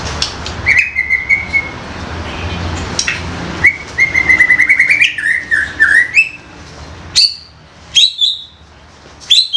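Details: Young wild forest White-rumped shama giving its 'koar koar' calls: loud, sustained whistles, some broken into quick trilled runs that rise and fall, then sharp high whistled notes, over a low background rumble.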